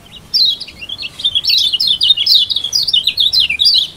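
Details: Lombok mountain white-eye singing, a kept bird's song meant to get lazy birds singing: a fast continuous twittering string of high, quick rising and falling notes, lively and unbroken for about four seconds.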